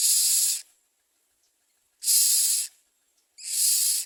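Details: Common myna delivering food to its young; three long, breathy, hissing rasps, each over half a second, spaced about one and a half seconds apart.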